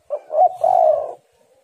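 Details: Single phrase from a female spotted dove used as a lure for males: a quick hoot and a brief rising note run straight into a sustained, rough mid-pitched coo.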